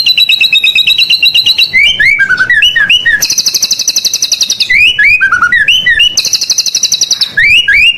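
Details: Persistently singing white-rumped shama in full varied song, played to spur other birds: two-toned trills, quick slurred whistles swooping up and down, and two bursts of very high rapid buzzy trilling.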